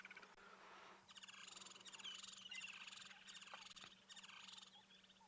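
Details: Woodland Kingfishers, a couple of them calling at an African dam at sunrise on 9 March 2022, soon to migrate, give a long, rapid, ringing trill of many fast notes over a steady low hum and faint whistles of other birds.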